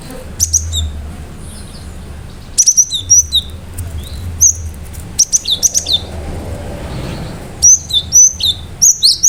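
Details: Cinereous tit singing a lively, sharp song aimed at making other birds answer. Repeated bursts of piercing, high downward-sweeping whistles, delivered in quick pairs and triplets, sit above a steady low hum.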